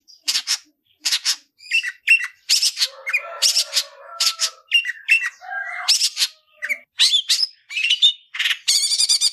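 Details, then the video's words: Caged long-tailed shrike, a top-performing 'gacoran' bird singing the 'tarung ngalas' fighting style used to tutor other shrikes: dense run of harsh, buzzy high bursts mixed with brief lower whistles, closing in a rapid rattling trill. "Tarung ngalas Gacoran cendet cocok untuk masteran burung cendet"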